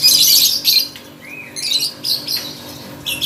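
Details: Lovebird at a bird contest giving rapid, shrill twittering bursts with a short arched whistle, the chatter coming in quick irregular pulses.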